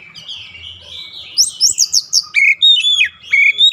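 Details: Oriental magpie-robin in daily training for long rolling song: soft warbled run opening into high rapid buzzy notes and then clean, loud, repeated whistled slurs.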